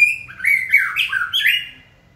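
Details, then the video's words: Caged white-rumped shama stimulated during song training, giving a short burst of harsh, squawking, sliding notes that fade away. "Kỹ thuật kích thích lửa cho chim hót (shama bird)"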